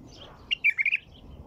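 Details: White-eared bulbul song: a single short, loud phrase of four or five rich, liquid warbled notes delivered in under half a second, over quiet background with faint distant twittering.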